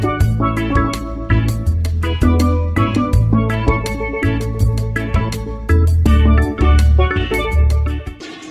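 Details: Upbeat steelpan and drum music with steady rhythmic strikes fills the recording, with no animal sound.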